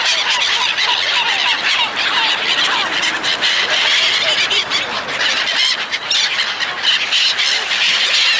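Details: Seagulls gathering while people feed them: many overlapping harsh, down-slurred calls from a crowded flock, set against a steady hissing rush of background noise.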